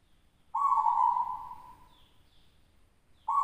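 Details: Local zebra dove, contest champion from West Java. A single long, even coo starts sharply and fades over about a second and a half. A faint distant chirp follows, then another coo begins.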